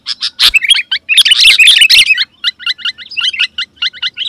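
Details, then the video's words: Loud, busy sooty-headed bulbul singing to lure wild rival birds: a jumbled cluster of high chirps, then a steady series of short two-part notes repeated several times a second. "Suara Burung KUTILANG GACOR Memanggil Lawan Burung Kutilang Liar Auto Nyaut dan Mendekat"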